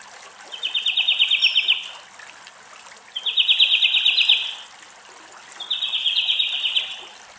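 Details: European greenfinch in Greek nature: an adult cooling off at a bird bath is challenged by an arriving, probably juvenile greenfinch, leading to pecking and aerial fights. Three fast, even, rattling trills of about one second each, spaced roughly 2.5 seconds apart, over faint trickling water.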